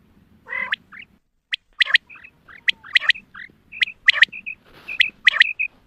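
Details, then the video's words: Hunting call of a female quail: a low rasping note, then sharp clicks alternating with short high whistled notes, roughly one per second. "Batair ki awaz Quail sounds Садои бедона мода bedana ovozi بٹیروں کی سپیشل شکاری آواز"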